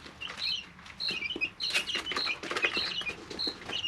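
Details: Three-week-old domestic chicks in a brooder, several birds together: a flurry of high, thin peeps, some short and some gently falling, overlapping one another, with soft clicks of pecking and shuffling between them.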